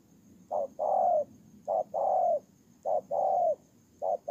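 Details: Ground decoy spotted dove from Tu Mơ Rông, Kon Tum, Vietnam, 23 September 2018, cooing steadily: each phrase is a brief note and then a drawn-out, gently descending coo, about four phrases in quick succession.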